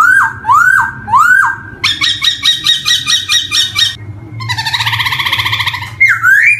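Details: Poksay hongkong, the black-throated laughingthrush, singing as a lure for young birds just learning to sing: three rising whistled swoops, then a rapid buzzy trill of repeated harsh notes, a warbling churr, and a final upslurred whistle.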